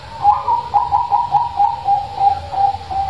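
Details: A loud-voiced local zebra dove, used as a lure to prompt reluctant doves to call, gives a soft, steady run of rolling, stuttered coos, about four or five notes a second at one mid pitch.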